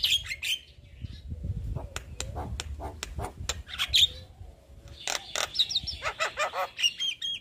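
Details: Javan myna in sustained, vigorous chattering song, used as a training recording for other birds: sharp clicks and short high whistles with pauses, over a low rumbling background hum.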